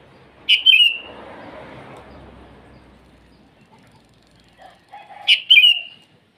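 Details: Sooty-headed bulbul singing in the morning to challenge rivals: one bright bubbly whistled phrase, then a stretch of broad rushing background noise, then a second phrase preceded by soft lower notes.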